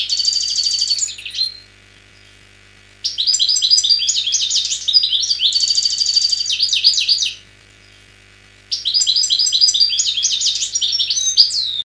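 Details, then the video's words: Wild Algerian European goldfinch singing, recorded in 2003: bright, rapid twittering phrases of trills and tinkling notes in long bursts, separated by short pauses of silence; no other clear sounds. "حسون خلوي جزائري chant très très rare"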